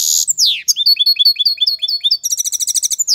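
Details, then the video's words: European goldfinch singing strongly, an aviary bird: a fast run of bright, high chirps and twittering notes, buzzy trills and slurred downward sweeps tumbling together with no pauses, clean and free of other sounds. "Goldfinch singing the best chirping"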